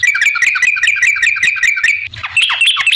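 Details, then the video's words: Yellow-vented bulbul singing energetically as a lure to draw responses from other bulbuls: rapid gurgling notes repeat at a steady rhythm, then break into a looser, varied warble. "suara trucukan gacor ampuh bikin nyaut pancingan trucukan agar bunyi"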